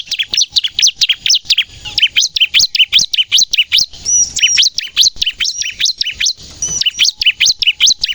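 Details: Lively bar-winged prinia song for attracting birds and getting caged birds to sing: steady stream of high, sharp swooping chirps at roughly two and a half per second, with two thin level whistles woven in.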